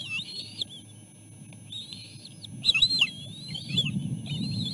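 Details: Bald eagle eaglets crowding their mother for food at the nest; high whistled cries in spaced bursts, a sharper cluster of chips midway, with rustling and a low hum in the background.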